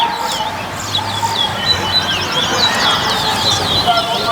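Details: Chestnut-bellied seed finches (called bullfinches) in a morning singing race on April 13: quick, varied whistled and twittering phrases overlap over a low hum of voices and background music.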